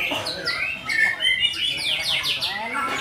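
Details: Oriental magpie-robin, called murai batu, singing continuously: bright clear whistles and rapid descending high-pitched sweeps repeated in quick series, mixed with busy chattering notes throughout.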